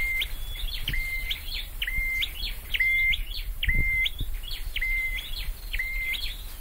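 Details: Repeated song phrases from a caged scarlet-headed flowerpecker being trained to sing: brisk upward sweeps ending in a level whistle, roughly once a second, with occasional low knocks in the background.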